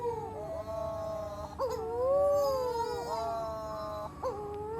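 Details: Young storm petrels on Matamanoa Island, Fiji, crying through the night from shrubs near a villa; mournful wavering wails, one long arched note in the middle framed by shorter sliding cries.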